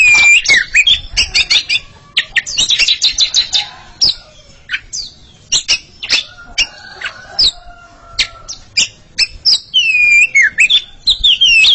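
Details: Pair of Oriental magpie-robins singing in rivalry: bright looping whistles open, then long bursts of rapid clicks and chips with scattered whistled notes, closing with rich curving whistles.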